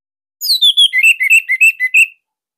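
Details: Orange-headed thrush master song, loud and tight, used to coax young birds to sing: a falling opening whistle followed by about ten evenly spaced clear whistled notes alternating in pitch.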